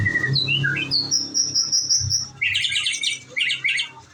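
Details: White-rumped shama, kept in Indonesia, singing clear whistled notes that jump between pitches, then a fast buzzy, chattering burst of high trills; faint low hum in the background.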